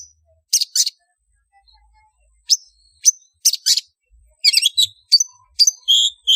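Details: Long-tailed shrike call used as a lure to gather birds: short sharp chirps and harsh high notes in uneven bursts, some doubled, speeding into quick clusters toward the end, with no other clear sounds.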